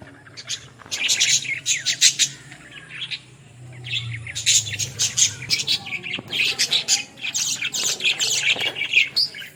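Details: Australian parrots in lively chatter, with rapid runs of high, scratchy chirps and squawks. A soft low hum sits underneath, and the calls come in dense bursts with short gaps.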